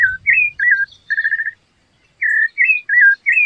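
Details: Rufous-bellied thrush song: warbled whistled phrases, a fast pulsed trill, a short silence, then more looping clear whistles.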